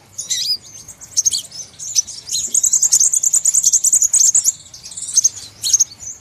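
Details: High-pitched crimson sunbird lure call for trapping birds: opening squeaky chirps, then a long rapid trill of sharp ticking notes for nearly two seconds, ending with scattered shrill chirps.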